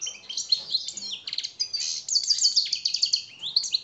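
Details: A short, dense phrase of European goldfinch song, the master training song for captive birds: tinkling twitters, a quick rattling trill, and bright sliding notes run closely together.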